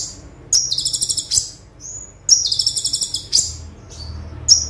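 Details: Tutor song of a lively konin, the olive-backed sunbird, in full 'tembakan' style: two rapid, high buzzy trills, each under a second, broken by sharp metallic chips and a thin whistled note.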